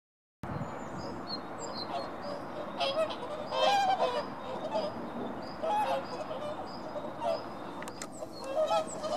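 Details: Whooper swans give loud, bugling honks in a busy flock chorus, with overlapping calls and a steady background rumble, at Ängö, Kalmar, Sweden, 24 January 2018.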